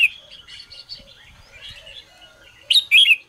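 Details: Morning song of a red-whiskered bulbul being trained: soft warbling chatter for over two seconds, then two loud, sharp whistled notes close together at the end.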